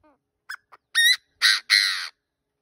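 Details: Decoy partridge crowing: a faint falling note and two short clipped notes, then three loud harsh, rasping notes in quick succession, the last one drawn out, against a quiet background.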